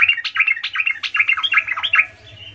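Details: Sooty-headed bulbul singing nonstop as a lure to call companions: a dense, bubbly chatter of varied quick notes, rising and falling without pause, over a low steady hum.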